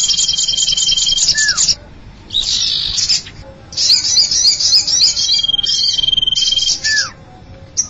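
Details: Common iora (cipow) lure sound used to attract birds: high, fast chattering trills and buzzy bursts in repeated phrases with brief pauses, plus occasional clear whistled slurs dropping in pitch.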